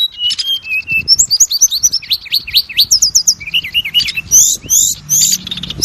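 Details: Lure song of an Oriental magpie-robin, meant to boost a kept bird's confidence and prompt it to sing: fast, high sequences of repeated whistled notes, downward slurs and buzzy trills in quick succession, with faint low rumbling beneath.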